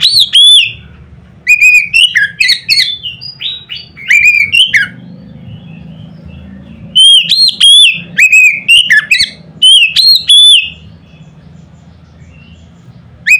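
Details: Oriental magpie-robin pouring out loud notes to provoke other magpie-robins into singing: repeated bursts of ringing, varied whistles and sharp chips, each lasting a few seconds with brief pauses, over a steady low hum.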